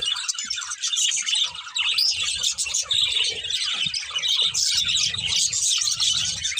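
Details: A pair of pet budgerigars chirping: constant, dense warbling chatter of quick overlapping high chirps and squeaky notes with no pauses, plus faint low thumps underneath.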